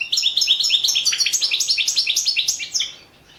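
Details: Competition singing of a European goldfinch, Balkan form, entered in a world goldfinch song championship held over the internet: a fast, continuous run of bright twittered notes, steady and dense for nearly three seconds before fading.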